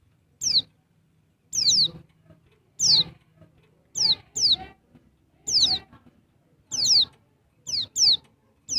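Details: Female Dakun Bali white-eye calling males: a steady series of shrill, high whistles sweeping downward, often in quick doublets, repeated about once a second with quiet gaps between.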